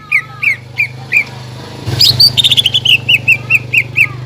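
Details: Greater green leafbird song used as a lure to rouse other leafbirds: evenly spaced clear whistled notes, then a loud burst followed by a quick descending series of sharp repeated whistles, over a steady low hum.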